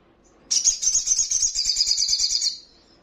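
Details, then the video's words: Crimson Sunbird training song for caged birds: one sustained, very high, rapid trill of buzzy notes lasting about two seconds, steady in pitch, then stopping cleanly. "Buktikan jika Sogonmu bermental Bagus..Dalam hitungan Detik,pasti langsung ikut Nyaut dan Ngleper"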